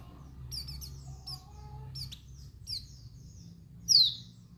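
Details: High, thin chirps and short twittering notes from a female white-eye, Dakun Bali variety, calling to stir males into anger and arousal, ending in one louder downward-sliding call; a low hum underlies it.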